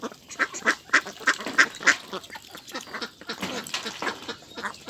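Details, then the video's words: Meat ducks kept in a huge flock on a rice field farm give a run of loud, nasal quacks about three per second, then a busier, softer jumble of many birds calling at once. "Duck Sound"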